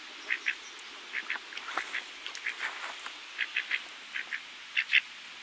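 A Pacific black duck gives short, nasal quacks, often in quick pairs, about three a second, over a faint steady hiss.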